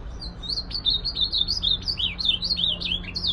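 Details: An ultramarine grosbeak delivers a rapid warbled phrase of sweet whistled notes, each slurring up and down, flowing continuously with a faint background hum.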